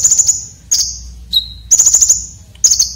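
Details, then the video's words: Red-breasted konin singing a sharp, rough filler song used to tutor competition birds: very high, bright trilled bursts, with one pure lower whistle held steadily between them. "KONIN Dada Merah isian Kasar tajam"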